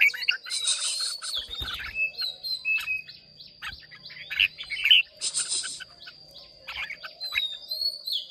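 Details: Competing Red-whiskered bulbuls of Hòa Bình stock sing against each other in Vietnam on 30 May 2023. Dense, overlapping chirps and warbles keep going almost without a break. A constant high electronic tone sounds in the background.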